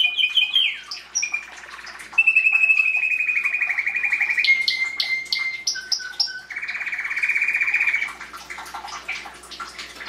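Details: Belgian canary song in breeding season, 2016, meant to stimulate chicks: varied phrases of rapid rattling trills and sustained whistled tones, switching pitch every few seconds, with short sharp chips between phrases.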